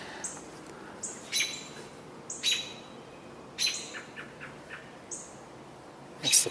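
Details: American Robins on 18 June 2022, possibly alarmed by something nearby, give short, high, sharp call notes in scattered bursts about once a second, with some softer chirps between; faint background hiss.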